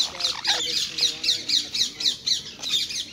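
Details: Wild rose-ringed parakeets feeding in Hyde Park, London, given seeds, nuts and apples: a rapid series of shrill, harsh screeches, about four per second, evenly spaced and loud throughout.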